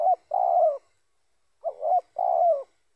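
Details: Spotted dove, used to attract other doves for catching: two paired phrases, each a wavering coo and then a longer level coo that falls at its end, about one and a half seconds apart.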